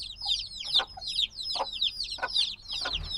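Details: Several days-old black chicks peeping noisily: high, falling peeps repeated about twice per second, overlapping, with faint lower murmuring behind them.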